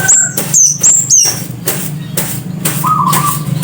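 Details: Scarlet-headed flowerpecker calling loudly: four shrill, very high notes, each drawn out and dropping slightly in pitch, then a short lower whistled note over constant background noise.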